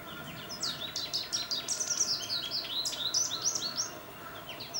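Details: Continuous, rollicking twitter from an American goldfinch, Nikon D800 recording: high, rapid chirps and slurred whistles pour out almost without break, varied in pitch, with soft background noise.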